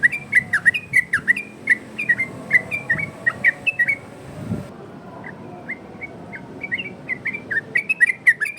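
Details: Varied-style yellow-vented bulbul song for luring other bulbuls: rapid bubbling whistled phrases, then a softer stretch of sparse notes near the middle before the loud chattering whistles return.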